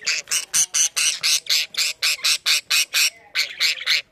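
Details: Caged budgerigar family, blue father, green mother and three newly hatched chicks, in a freshly cleaned cage: harsh, raspy, buzzy bursts repeated about twice a second, steady series with a short break near the end.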